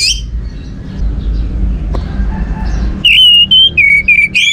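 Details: Orange-headed thrush song intended to stimulate other birds to sing: after three seconds of low hum, a loud run of clear flat whistles and short slurred notes repeated quickly.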